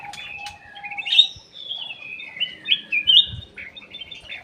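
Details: Lure song of a ruby-throated bulbul (cucak emas) kept in an aviary: rambling slurred whistles and chirps, rising and falling, with a few louder bright notes near the end and faint knocks in the background.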